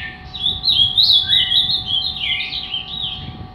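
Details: Three-year-old captive Ultramarine grosbeak, angry and fibra, pouring out a continuous warbled song of sweeping whistled notes with a lower slurred note partway through, faint background hum.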